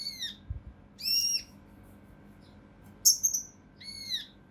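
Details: Mountain leaf warbler song used to tutor competition birds, tembakan kasar rapat style: a few curved, ringing harmonic notes and one shrill stuttered high whistle, separated by short pauses, with a soft low background hum.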